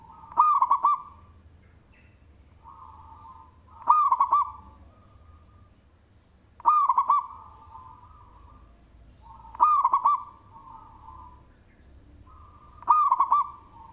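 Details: Loud local zebra dove in full song, suited as a lure: five cooing phrases about every three seconds, each a burst of rapid rolling coos trailing into a long level hum, with a faint constant high whine throughout.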